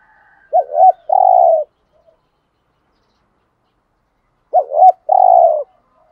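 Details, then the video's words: Caged lure spotted dove bought in Dak Lak, Vietnam, kept to provoke rival males. It gives two cooing phrases about four seconds apart. Each is two short hooked notes and then a longer, throaty, slightly falling coo, in quiet surroundings. "Cu gáy mồi"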